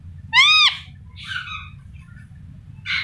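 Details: Indian ringneck kept as a pet, vocalizing with its owner: one loud, arched screech early on, followed by softer chattering notes and a final raspy burst, with quiet pauses between them.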